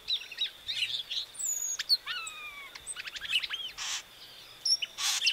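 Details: Variable oriole (Icterus pyrrhopterus), Brazilian name Encontro, a species without sexual dimorphism, delivering mixed song: scratchy chatter, level whistled notes, quick clicking ticks and two loud harsh buzzes, over a persistent thin high-pitched hum.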